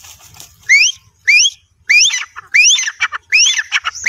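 Grey francolin giving loud, shrill rising whistles, first spaced about half a second apart, then running into quicker squeaky clusters; faint background hiss.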